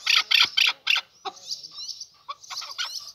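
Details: Male chukar partridge: four loud harsh chuck notes, followed by softer, thin squeaky calls and scattered quiet notes.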